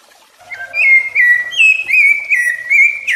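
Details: Rufous-bellied thrush singing, a song used to teach and warm up young and adult thrushes; a soft low note leads into a run of bright, fluting whistled phrases that swoop up and down, several per second, in a clean recording.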